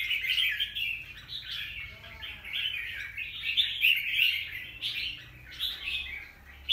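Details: Wild-caught young red-whiskered bulbul, recorded 25 December 2023, in a long run of cheerful warbling. Varied chirps come in rapid clusters, with a brief quiet spell near the end.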